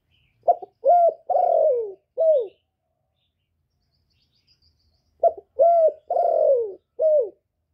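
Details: Spotted dove with a 'thổ' style voice, cooing to stimulate males. Two identical four-note phrases about five seconds apart: a short clipped note, a level coo, a long downward-gliding coo, and a short falling coo. Otherwise silent.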